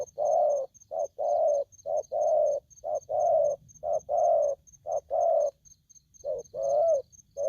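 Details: Young spotted dove, freshly captured from the wild and behaving aggressively, repeats loud coos in short-long pairs, the long notes gently rising then falling, with brief gaps between phrases and a soft high-pitched pulsing tone behind.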